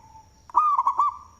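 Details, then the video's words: Single loud rolling coo phrase of four quick bubbling notes from a big-voiced local zebra dove kept as a lure, with a faint coo before it and a thin high whine. "Perkutut Lokal suara BESAR Manggung, Cocok untuk pancingan"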